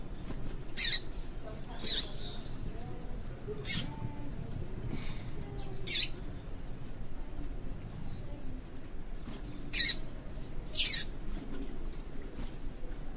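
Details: Female yellow-bellied seedeater calling to stimulate males to sing, giving short, high, sharp chirps spaced irregularly every one to four seconds over a quiet background hiss.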